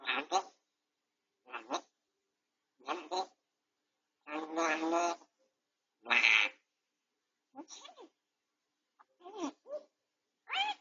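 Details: Indoor grey parrot under treatment for beak-tip pain, filmed by home camera, chattering in a string of about ten clipped speech-like bursts, some longer and wavering, others quick and squeaky, spaced irregularly in a silent room.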